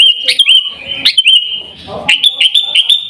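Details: Sooty-headed bulbul from Pidie, Aceh, Indonesia, singing 'Gaya Garuda' style: clear steady whistled notes with quick upward flicks, a short gap filled by low rustling, then a rapid string of bright chirped notes.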